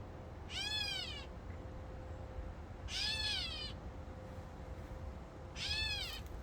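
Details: A catbird in fig trees gives three drawn-out, nasal, cat-like wails, each under a second, about every two and a half seconds, over a steady low hum and background rumble.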